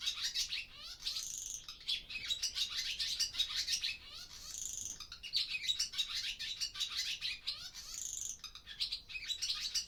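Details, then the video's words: Barn swallows in an old barn by day at the start of the breeding season, recorded with a Zoom F6 and Sennheiser MKH microphone: dense, overlapping high twittering with buzzy rattles and squeaky notes, rising and falling in bursts, a sound likened to dolphins. "Barn Swallow Sound Library"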